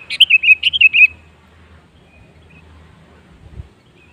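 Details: Sooty-headed bulbul lure song for prompting other birds to sing: one rapid, chattering phrase of about eight liquid whistled notes, then near silence with a faint low thud.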